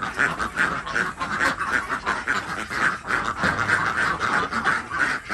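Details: Morning egg collection among desi ducks on an Andhra Pradesh village farm; a busy flock gives steady, rasping quacks, roughly three per second, blending into one noisy chatter.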